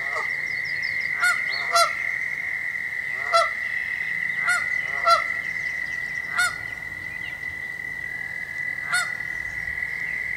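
A Canada goose gives loud, nasal honks, about seven over ten seconds at uneven spacing, warning of danger over a steady high insect-like whine.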